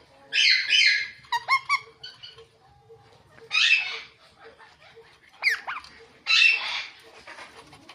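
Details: Ringneck parakeet kept as a pet, chirping in harsh, grating squawks alternating with short sharp clicks and rising notes, three main bursts in eight seconds.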